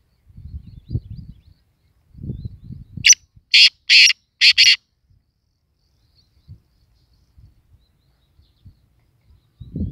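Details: Black francolin, locally kala teetar, calling with four loud harsh rasping notes over about two seconds, set between stretches of low rumbling background noise.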